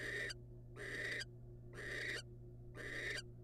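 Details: Barn owl, wild, as the male arrives with a rodent for the female: four evenly spaced breathy screeches, each drawn out and hoarse, over a faint constant hum.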